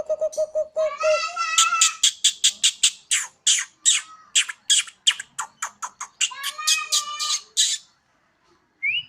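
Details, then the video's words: Home-kept Bornean White-rumped shama, locally called murai odong-odong, singing eagerly on a house terrace: a steady run of low whistled notes, then rising harmonic phrases and a fast series of harsh, scratchy bursts, ending with a short rising whistle. "Murai odong-odong (BORNEO) dengan penuh semangat si Burung berkicau layaknya suara sirine"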